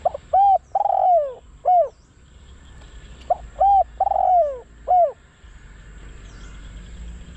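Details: Spotted dove decoy bird used to lure wild doves in Thai trapping; two cooing phrases, each of short hooted notes then a longer falling coo, separated by a pause, with a faint steady high hiss behind.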